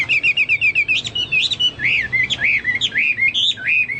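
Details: Chinese hwamei singing loudly, compared to cucak Papua or cucak mas: a rapid string of short repeated notes leading into bright, bouncing whistles that rise and fall in quick succession.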